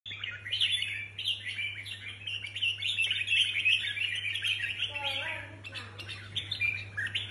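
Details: Red-whiskered bulbuls, competition birds being readied for a contest, give dense overlapping chattering song of quick warbled and chirped notes; a steady low hum runs throughout, with a faint voice and lower tones near the end.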